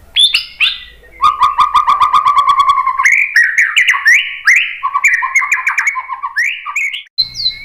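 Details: White-rumped shama song used to lure other birds into answering: loud varied phrases of rapid repeated chips and trills, a long run of stuttering notes, then buzzy rising and falling warbles ending in a high note.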